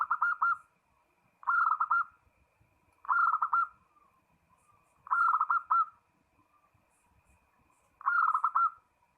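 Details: Zebra dove singing vigorously to call a rival, repeating a short burst of rapid, rolling coos about every one and a half seconds, five bursts in all, against quiet background.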